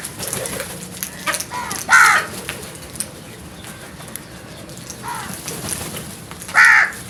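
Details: Scared crows calling loudly in alarm, a harsh caw near the two-second mark and another near the end, with fainter caws between them and steady background noise throughout.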